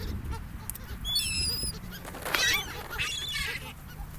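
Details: Seagulls on an ocean beach in a gulf, interacting with humans: a clear, high, drawn-out cry followed by a louder burst of harsh, overlapping squawks, over soft low surf.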